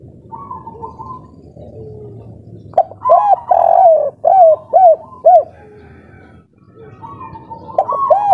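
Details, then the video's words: Spotted dove of local stock, breeding-ready, singing the kuk 3 pattern. A quiet start with a soft whistle tone gives way to a loud cluster of one long and several short arched coos. More coos arrive at the end. "Derkuku kuk3 lokal gacor ngamuk suara edan full birahi"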